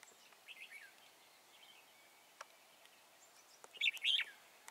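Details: Trapped wild red-whiskered bulbul at Chùa Hương, 24 March 2018, with soft scattered chirps followed near the end by one loud, quick, liquid whistled phrase.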